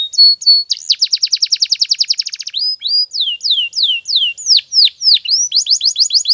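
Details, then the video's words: Canary training song: a short whistled opening, a long rapid trill of sharp repeated notes, loud whistled downslurs at varied pitches, and a fast burst of notes to close. "Your Canary Will Sing Immediately - Canary's Sound Training Every Morning"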